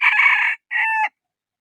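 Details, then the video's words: Rooster crowing: a harsh, broad first syllable followed by a short pause and a steadier, more tonal second part, very clean with no other sounds. "Suab qaib qua zoo heev"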